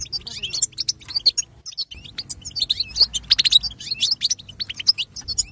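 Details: European goldfinch song meant to excite other goldfinches: varied, fast twittering with sweeping slurred notes and metallic chips, loud and busy throughout, a low hum behind.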